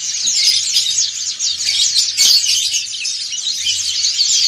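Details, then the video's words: Group singing by dakun and montanus white-eyes in ngriwik style. Rapid, overlapping high squeaky notes and scratchy trills pour out continuously, briefly swelling louder halfway through. "PLECI DAKUN NGRIWIK BERJAMAAH"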